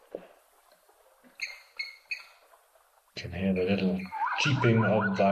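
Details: At an African waterhole on 19 August 2025, a blacksmith lapwing (Vanellus armatus) gives three sharp, metallic tink calls about a third of a second apart, like a hammer on an anvil, before a man starts talking.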